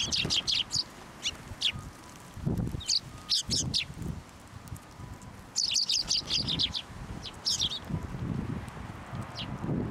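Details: Sparrows flying onto a hand to be fed at a Tenmangu shrine on 21 December 2023 give short high chirps in scattered bursts, with low thumping and rustling handling noises between them.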